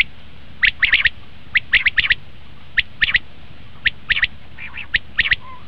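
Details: Common quail, a lure call for quail hunting, gives quick bursts of two to four clipped notes, roughly one burst per second, interspersed with single notes, over a soft constant hiss.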